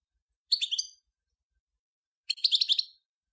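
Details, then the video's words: Song of a European goldfinch: two short bursts of bright, tinkling, liquid twitters roughly two seconds apart, with clean silence between them. "صوت الحسون الأصلي - Stieglitz Major Beste Gesang - Le roi du chardonneret"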